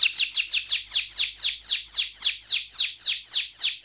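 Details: Canary, an AF-type song bird, singing a long roll: a fast series of bright downward-sweeping notes repeated steadily about every third of a second, high-pitched and even throughout.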